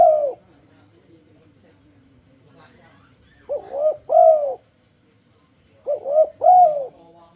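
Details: Spotted dove (tekukur) giving an enticing lure song meant to make other doves sing along. A brief coo opens, then two husky three-part cooing phrases, each ending in a longer, stronger rounded coo, separated by quiet pauses.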